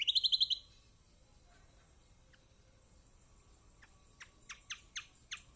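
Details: Yellow-vented bulbul lure song to coax silent birds into singing: opens with a fast, high buzzy trill of about seven notes, a pause, then a series of sharp, high chips.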